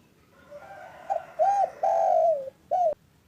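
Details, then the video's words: Spotted dove of a local strain cooing in the afternoon: a soft lead-in, then a brief note, an arched coo, a long drawn-out slightly falling coo and a final short coo, hollow and mellow. "Suara indah burung derkuku lokal gacor"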